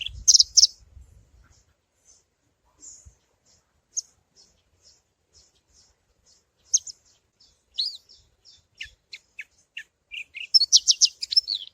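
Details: Parva Javan bush lark in its 'suara alasan' base song, used as a lure: a brief low rumble, then sparse thin high ticks that build into varied chirps and a dense buzzy trilled burst at the end.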